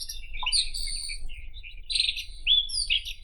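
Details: Short burst of White-throated Robin (Irania gutturalis) song: one lower note, then a run of scratchy warbled notes and thin high buzzes, ending on a sharp rising slur.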